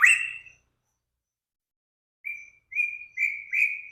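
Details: Training-master song of a bird: one loud slurred whistle, a silence of almost two seconds, then four short, clear, level whistles about half a second apart.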